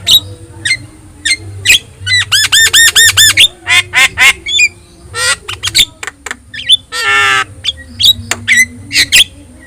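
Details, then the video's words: Vigorous singing of a yellow-eyed Javan myna, used to train other birds: clipped squawks, a quick ladder of repeated notes, a long raspy buzz near the end, and a thin high whine throughout. "JALAK KEBO GACOR MATA KUNING | Untuk Masteran Kicau Jalak Mania"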